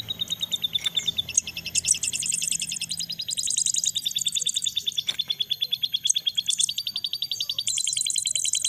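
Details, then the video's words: Crested jay young being fed: insistent, rapidly repeated high notes forming a steady pulsing chatter, with intermittent louder shrill bursts and occasional clicks. "ngloloh anakan sogon"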